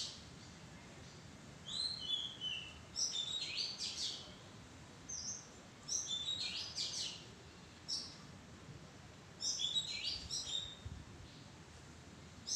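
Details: Oriental magpie-robin calling in a madan tree bower: repeated bursts of varied high whistles, trills and chirps, each burst lasting about a second, separated by short pauses.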